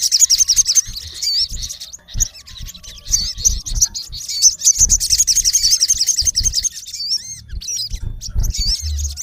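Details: Male Olive-backed sunbird calling a rival, recorded in its natural habitat: rapid high thin chirps and wavering twittered notes in quick bursts, with brief pauses, over faint low rumbling and occasional thumps.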